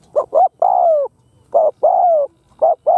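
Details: Captive spotted dove used as a lure bird to attract wild doves, cooing: low soft hooted coos, two short notes then a longer drawn-out falling coo, repeated in a steady phrase.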